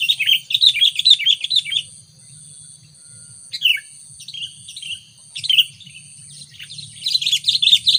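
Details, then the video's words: Sooty-headed bulbul used to lure wild bulbuls, with a rapid run of bright chirping notes at the start, scattered single calls in the middle, then another fast chattering sequence at the end, over a soft low rumble and steady high whine. "Burung kutilang pikat gacor..!!! Auto - kutilang liar penasaran guyss..?!"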